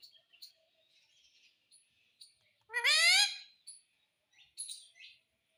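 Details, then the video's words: Indian ringneck parrot talking, repeating the word "mummy": one loud, harmonic-rich rising phrase in the middle, with faint soft chirps and short high notes before and after. "MUMMY BOLNE WALA TOTA - BOLNE WALA TOTA - TALKING PARROT"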